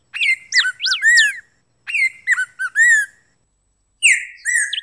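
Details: Song of the golden-billed saltator (pepitero, picahueso): a rich whistled phrase of quick rising and falling notes ending in a level drawn-out whistle, repeated after a short pause, then a final sliding whistle.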